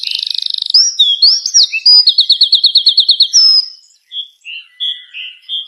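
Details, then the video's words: Morning chirping from a bird on dry wood as the sun rises: a fast buzzing trill, slurred whistles, a rapid series of repeated clipped notes, then softer spaced chirps. "چڑیا کی چہچہاہٹ"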